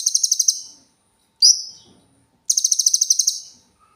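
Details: Cililin singing clearly as master material for cage birds: two rapid high-pitched trills of sharp repeated notes, separated by a single bright downslurred whistle, with silence between the phrases.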